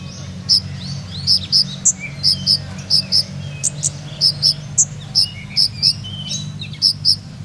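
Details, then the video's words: Purworejo olive-backed sunbird with a melodious 'ngeroll nembak' song: high, clipped notes mostly in pairs, repeated about every half second, with soft lower chatter and a background hum. "Kolibri Ninja Purworejo Berirama Syahdu Ngeroll Nembak"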